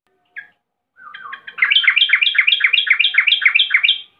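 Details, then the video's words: Agitated female yellow-vented bulbul calling to a male: a short note and a falling phrase, then a fast, bubbly chatter of about a dozen bright notes over two and a half seconds. "Trucukan BETINA NGAMUK GARUDA memanggil JANTAN"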